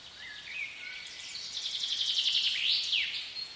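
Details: In a spring forest, a common blackbird sings a few low, fluted whistles, then a rapid, squeaky high twitter, over a faint background hiss.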